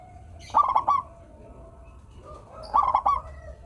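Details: Local zebra dove song for getting idle doves to sing: two loud, rapid, rolling bursts of cooing notes about two seconds apart, with quiet cooing in the gaps.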